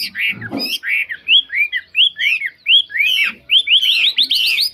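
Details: Chinese hwamei kept in a cage and said to sing very well, delivering a string of bright slurred whistles in quick succession, closing with a rapid burst of short notes.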